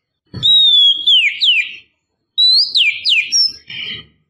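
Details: Female oriental magpie-robin calling to lure and excite a male: two clear whistled phrases, each a long level note near the top of its range followed by sliding, falling notes, separated by a short pause.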